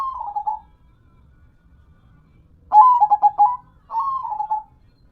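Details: Local zebra dove, or perkutut, cooing: a short phrase, a pause, then a louder stuttering run of pulsed coos followed by a smoother rolling phrase, all mid-pitched and clean.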